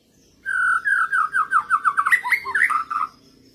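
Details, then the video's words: White-rumped shama song played to provoke rival shamas into answering: a loud continuous run of varied whistles, starting with steady notes and breaking into quick rising and falling slurred phrases. "Burung Murai lain ikutan ngotot | coba pancing pake masteran ini"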